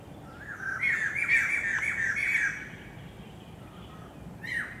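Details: White-crested laughingthrush recorded on 27 January 2014: a loud, harsh, chattering squawk burst of rapid notes lasting about two seconds, then a lull and a shorter falling harsh note near the end.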